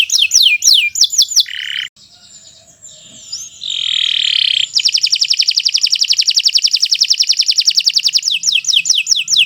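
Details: Kenari Nusantara 173, a canary, sings a master song for tutoring other birds: looping high whistles and a buzzy note, a muffled noisy pause, then a long fast high trill closing with sweeping whistles.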